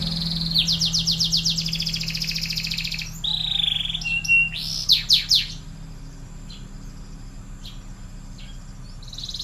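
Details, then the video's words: Panda-patterned canary singing loudly: a long fast trill of repeated high sweeping notes, a flat buzzy tone, then several loud rising-and-falling arched whistles, ending in a quieter stretch with scattered chips and low background hum. "Kenari panda gacor dor"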